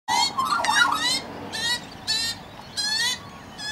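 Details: Young magpie not long out of the nest, being fed by an adult in a safe backyard, giving harsh, raspy begging calls: one long wavering outburst, then three shorter buzzy bursts spaced about half a second apart.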